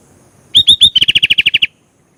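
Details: Sooty-headed bulbul in vigorous song: three loud rising whistles, then a brisk, regular sequence of around eleven ringing whistled notes, stopping sharply.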